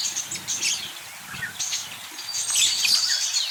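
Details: Budgerigars keep up rapid, uneven chirping, about three notes a second, mixing buzzy squeaks and high twitters, with a louder, denser burst of calls in the final second.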